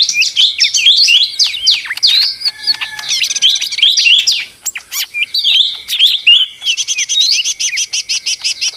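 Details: Ijo mini (daun) leafbird in restless, noisy song: quick high twittering and slurred whistles, then runs of rapid repeated clipped notes near the end.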